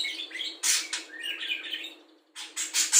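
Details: Budgerigar trained to mimic cucak jenggot, kapas tembak, lovebird ngekek and sparring sparrows; a short run of twittering chirps with two loud harsh bursts, a sudden silence, then more sharp rasping notes.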